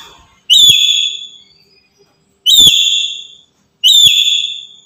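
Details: Black-capped lory, a very active bird used as a master lure for trapping: three loud, clear whistled notes, each sliding slightly down and fading over about a second, separated by short silences.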